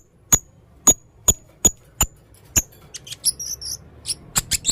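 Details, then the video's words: Five evenly spaced sharp ticks with a thin high whistle, then a quick jumble of shrill buzzy chirps, from a red-throated male blue-crowned hanging parrot. "burung serindit jantan leher merah gacor full materi"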